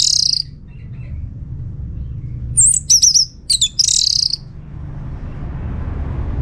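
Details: Bright song of an orange-headed thrush, North Bali, used as a lure: a high rasping note at the start, then a quick cluster of clear, tumbling whistled notes and another scratchy burst, with low background rumble.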